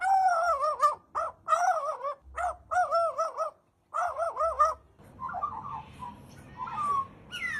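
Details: Crow imitating a dog's bark; a series of hoarse, wavering, yelping notes in quick bursts, several per second with short gaps, then softer rougher calls with background noise toward the end.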